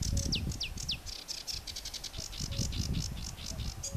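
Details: Sedge warbler south of Västerås airport, Sweden, delivering three descending slurred whistles followed by a steady series of high, scratchy chattering notes, over low rumbling background noise.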